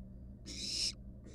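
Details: Wild barn owl nestling in a nest box, standing on a mouse and resting: one harsh, broad hissing screech of about half a second, with a faint start of a second hiss at the end, over a low steady hum.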